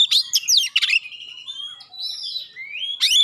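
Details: Oriental magpie-robin song with sharp shot-like notes and clear tones, used to make other magpie-robins answer at once; opens with loud buzzy bursts and steep sweeps, then thin high whistles that slide upward, ending in a bright rising flourish.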